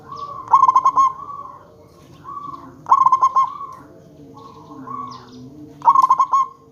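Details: Local zebra dove used as a lure to make other zebra doves call back: three bubbly, trilled coos of about five quick pulsing notes, spaced roughly two and a half seconds apart, over faint low tones.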